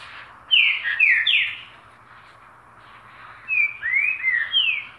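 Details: Two rich whistled phrases from a green-winged saltator, each of three or four sliding notes falling in pitch, separated by two seconds of faint hiss.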